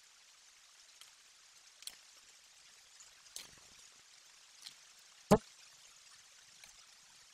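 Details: Near-silent background at a golden eagle nest in Bucovina, broken only by a few scattered sharp clicks and taps, with one louder knock about two-thirds of the way through.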